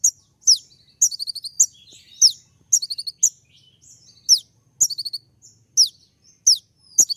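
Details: Brown-throated sunbird (kolibri ninja) singing a sharp 'tembak' song meant to rouse other males: piercing high downward-sweeping chips alternating with quick stuttering rattles, steady and busy throughout, no other sounds.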